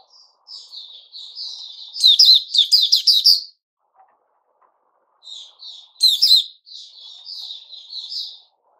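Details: Puteh Raja white-rumped shama song, 29 August 2021: quiet high warbling builds into a loud rush of rapid, bright notes, then falls silent for two seconds before another short loud burst and soft twittering.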